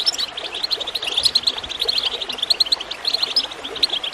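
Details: Rapid goldfinch twittering, sharp high chirps tumbling in quick succession, heard with gurgling water in the background, played to encourage birds to sing.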